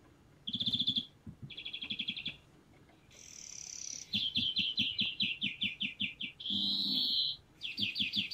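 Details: A European greenfinch at a spring feeder in Kandalaksha, Russia, gives its characteristic rattling call: loud, rapid trilling rattles in bursts, a long wheezy buzz between phrases and a rising nasal note near the end.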